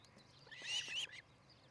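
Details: At a Montana nest in Charlo, on an early July 2018 morning, an osprey gives one drawn-out, shrill whistled call that holds its strained, piercing tone for about half a second before breaking off.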